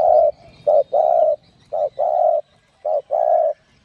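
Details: Spotted dove singing in the 'giọng đồng' field style, a 'gáy thúc gù' song used to stimulate and lure other doves: low hoarse coos alternating short and long, about one note per second, with no other sounds.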